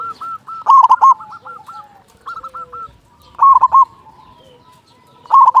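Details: A local zebra dove sings a lure song meant to set other doves cooing: loud trilling, rolling coo bursts recur three times amid a chorus of quieter, fluttering coos.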